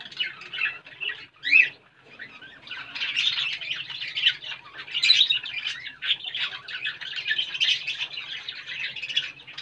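Budgerigars chatter continuously in rapid, scratchy warbles and squeaky chirps.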